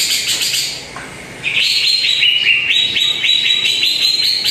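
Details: Greater green leafbird song used as a lure to make a quiet bird sing: bright, clear whistled phrases between 2 and 4k, quick repeated notes stepping up and down, with faint background chatter early on.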